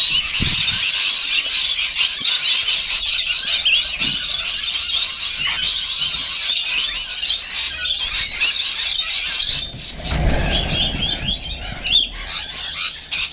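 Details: Feeding rainbow lorikeets in a noisy group, steady high-pitched screeching and chattering throughout, broken near the end by a low rumbling noise.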